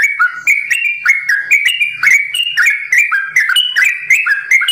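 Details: Sooty-headed bulbul, simbar jati variety kept at a bird farm, in long continuous ropel song, bright fluty whistles alternating high and low pitches in quick succession, each phrase ending with a sharp click-like upstroke.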